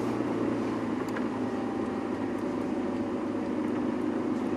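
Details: A steady engine drone with broadband rumble runs throughout, and no animal calls are heard.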